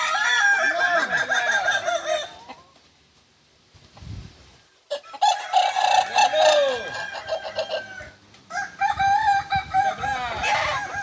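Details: Kukuak Balenggek chicken crowing during joint training in Ampang Kualo, Solok city: long multi-note crows of rolling, wavering harmonic syllables, broken by a silent pause, with some knocking sounds.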